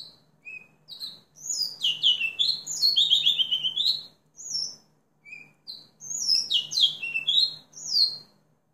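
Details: A house finch sings long, jumbled warbling phrases of high, downslurred and buzzy notes, broken by short pauses and a few isolated chirps. A steady low hum sits in the background.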